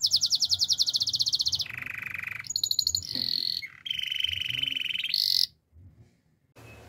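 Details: Belgian canary song used for training: rapid buzzy high trills, then a steady lower rolling trill, a whistled high note and another long rolling trill, ending in silence with a faint low hum behind.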